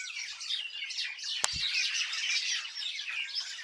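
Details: Many birds chirping together in a village, a dense overlapping chorus of high, rapid twittering notes, with one brief low thump midway.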